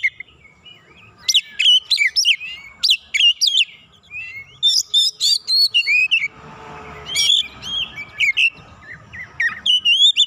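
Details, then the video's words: Excited White-rumped shama singing at a rival: series of emphatic sharp whistled notes and flicks in clusters, a short noisy patch midway, then more ringing phrases. "KACER LAWAN LANGSUNG PANAS NAIK EMOSI BONGKAR ISIAN SEKALI PANCING"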